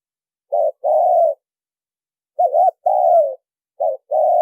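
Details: Spotted dove lure call for attracting birds, recorded without background noise; low cooing phrases of a short coo followed by a longer drawn-out coo, repeated about every one and a half seconds.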